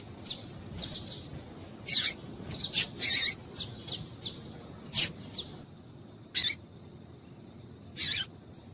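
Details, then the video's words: Female double-collared seedeater calling, used to get males singing: short, sharp, high chips given singly and in quick clusters at irregular intervals, about a dozen across the clip, over a quiet background. "Piado de Fêmea de Coleiro para Esquentar Coleiro"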